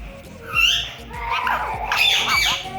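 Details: A pet rose-ringed (ringneck) parakeet in Pakistan talks in Urdu/Hindi, saying names in a high, raspy, nasal voice, stringing short word-like phrases with harsh squawky syllables over a couple of seconds.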